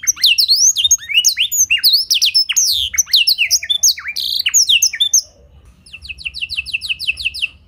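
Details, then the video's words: Tutor recording of a canary singing blackthroat-filled song with a clear tone. Dense run of sharp, high, falling and rising whistles for five seconds, then a softer, evenly spaced series of quick chipping notes. "Pancingan & Masteran Burung Kenari Isian Blackthroat Suara Jernih! Bakal Langsung Ikut Gacor"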